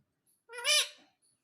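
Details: Talking parrot at home repeating "mummy": one short, rasping, nasal, high-pitched word rising and then fading, in a quiet room.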